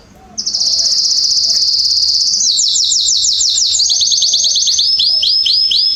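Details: Canary singing in a garden, September 2020: a sustained high buzzy note, then rapid rattling phrases and a run of repeated arched whistles.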